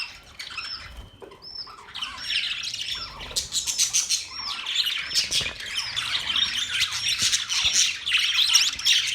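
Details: A flock of budgies twitters nonstop. The chatter starts with a few clear up-slurred whistles and builds into a loud, overlapping mass of buzzy chirps and squeaky warbling.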